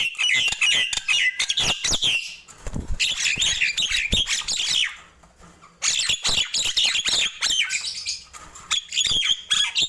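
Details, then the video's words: Morning song of Nias hill myna: dense runs of harsh squawks and whistled phrases in two long bursts separated by a brief near-silent pause, notes tumbling quickly and unevenly. "Ramainya Kicau Jalak Nias di Pagi Hari"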